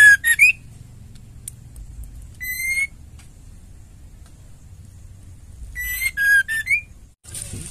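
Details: Female white-rumped shama singing, a recording used to provoke male shamas into singing and to ease birds that have stopped singing: three short bursts of high ticking notes mixed with clear whistles rising to a slurred upswing, separated by long pauses with low background hum.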